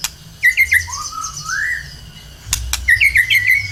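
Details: White-rumped shama in energetic lure song to start other birds singing: a quick run of bright whistled notes, a soft low rising slur, a sharp click, then another fast sequence of short whistles.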